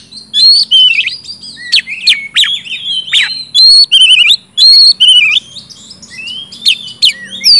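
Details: Energetic 'gacor ngeplong' song by an oriental magpie-robin, intended to stimulate silent magpie-robins: loud buzzy squawks interleaved with bright whistled slurs and a quick stuttering trill, nearly unbroken throughout.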